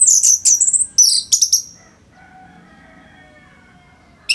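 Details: Orange-headed thrush singing a rapid series of high, squeaky whistled notes for about one and a half seconds. Then comes quiet with a faint hum, and a single sharp chip at the end. Dense song used to tutor other songbirds.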